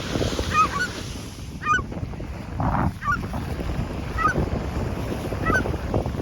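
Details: Seagulls outdoors near the water: short, thin, wavering mewing calls, about five across the stretch, spaced irregularly. Strong wind rumbles over the microphone throughout.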